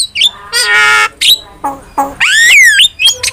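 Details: Starling training lure: loud harsh grating squawk, clipped nasal honks, then a long buzzy rising-and-falling whistled screech and a final sharp chip, with almost no background noise.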